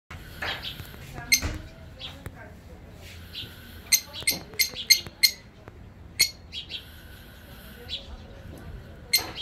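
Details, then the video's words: African parakeet singing, giving sharp shrill squawks and short chirps in irregular bursts, some clustered rapidly, with a steady low hum in the background. "Periquito africano cantando"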